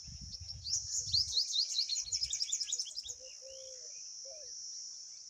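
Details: Pipit rushing to feed its young at the nest after one fell out; a dense two-second burst of high, quickly repeated chirps with low rustling, then quieter slurred notes and a steady high hum.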